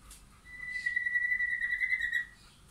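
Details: White-rumped shama, wild and caged birds in a backyard forest; one long, steady, pure whistle held for over a second, with faint higher notes around it.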